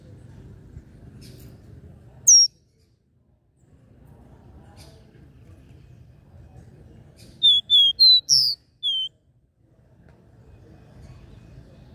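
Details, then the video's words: Caboclinho, or capped seedeater, giving its regional three-note 'Dó Ré Mi' song: one isolated sharp whistle, a long quiet gap with faint low rumble, then a quick burst of five high, clear whistled notes. "CANTO DO CABOCLINHO DÓ RÉ MI 3 NOTAS REGIONAL"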